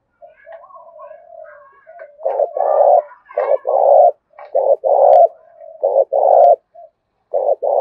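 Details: Decoy spotted dove singing in the loud 'Thổ Đồng' voice, full cooing sequence: soft low murmurs first, then a series of strong, rounded coos in pairs and triplets, evenly pitched and separated by short gaps.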